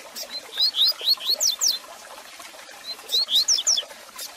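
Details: Double-collared seedeater song used to excite a caged bird: a quick phrase of upslurred whistles leading into high falling notes, repeated after a gap of about two seconds, over light crackling noise.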